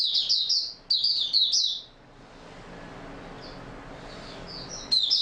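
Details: Singing Oriental white-eye, stable form, recorded 28 February 2022: two fast bursts of high warbling twitters, then a lull with soft distant notes before another sharp twitter begins.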